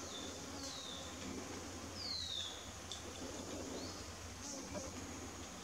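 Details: Wire-tailed manakin in the Amazon, courting and dancing for a female: two thin, clear whistles slide downward, one near the start and one about two seconds in, over a steady high insect drone and low hum.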